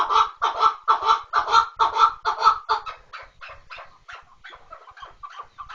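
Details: Chukar partridge delivering loud, regular clucking notes that then weaken and thin out into quieter, more distant chucks.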